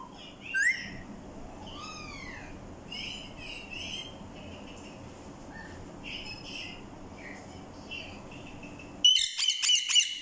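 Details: Pair of Kashmiri Alexandrine parakeets kept as pets, whistling and chattering: soft rising and falling whistled notes with scattered chirps, then a sudden loud burst of harsh screeches near the end.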